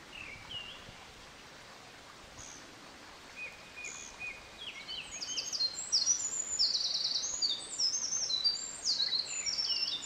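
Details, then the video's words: Eurasian Wren beside a stream on 24 May 2013, singing as if in competition with a distant Japanese Thrush. Softer, lower whistled phrases open the clip, then a loud burst of rapid, high, buzzy trills dominates the second half. "ミソサザイとクロツグミの囀り Eurasian Wren & Japanese Thrush"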